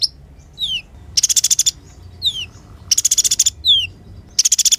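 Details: Olive-backed sunbird (kolibri ninja), recorded to lure and tutor other birds. Thin descending whistled slurs alternate with loud, fast, high-pitched trills, each about half a second long, repeated three times.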